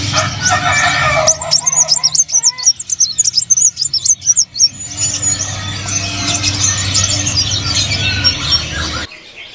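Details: A brown-throated sunbird, one of four in stock at a kiosk in Pramuka bird market, sings in quick, high, thin chirps and twitters, then a dense run of sharp notes, over a low steady hum and background chatter.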